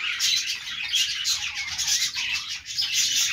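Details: Budgies give a steady run of bright, buzzy chirps mixed with rasping squawks, closely layered and heard throughout the short stretch.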